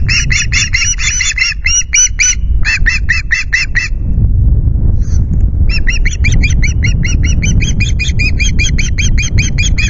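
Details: Nest-camera recording of wild ospreys at Loch Garten, 9 August, 09:00, screeching to chase off an intruding osprey. Quick runs of high, ringing notes, a short lull near the middle, then another long, rapid series; wind rumbles underneath.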